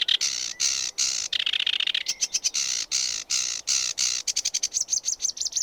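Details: Sedge warbler pouring out a varied song of long, harsh, scratchy buzzes, rapid rattling trills and short chattering notes, closing with a quick series of repeated squeaky, slurred notes.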